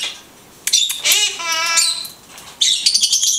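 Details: Blue-headed conure talking: a harsh squawk burst, then a drawn-out voiced, word-like sound with rising and falling tones lasting almost a second, followed by scratchy high chatter.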